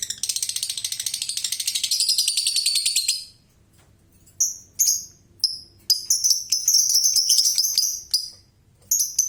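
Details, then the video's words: Lovebird giving its long ngekek chatter: a shrill, rapid rattling trill held for about three seconds, then a pause and bursts of high, sharp squeaky notes and short rattles. "LOVEBIRD NGEKEK NGGANCIR"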